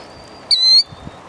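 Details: A killdeer, one of a pair of parents with three chicks, gives one shrill, high, slightly descending note of about a third of a second, with a faint thin whistle and soft low thumps beneath.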